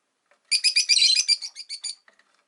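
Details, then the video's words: Pet rosy-faced lovebirds caged by a window, five birds: a rapid scratchy chatter of about a dozen high notes running together for a second and a half, trailing off with softer chirps. "Lovebird Chirping Sounds"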